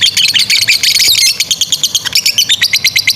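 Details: Lovebird singing a long ngekek trill used as a training model for young birds; rapid high chattering notes, a dense burst for the first second, then evenly repeated sharp chips about three per second.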